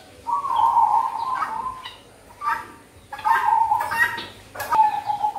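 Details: Zebra dove singing, a recording meant for luring in the cold season. It gives long trilled coos in two main bouts, with soft chirps from other birds between them and a sharp click near the end.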